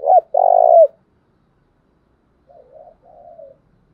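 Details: Decoy spotted dove with an intense coo to provoke wild birds: a short coo and a long resonant one, then, after a pause, two faint soft murmured coos.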